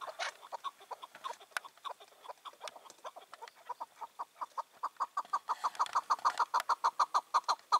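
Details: Chukar partridge, a wild bird that rules its area, starts with scattered clucks, then speeds into a tight, rising run of ringing chuks, evening of 4 June 2023.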